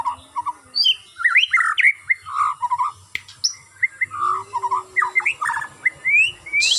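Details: White-rumped shama on a bird farm, given routine aviary flying exercise to build stamina, sings loud varied whistled phrases that rise and fall, with short quick note clusters and brief pauses between bursts.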